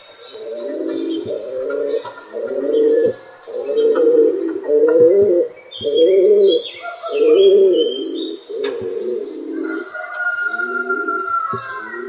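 Several pigeons coo together in low, throaty, rolling phrases that overlap almost without pause.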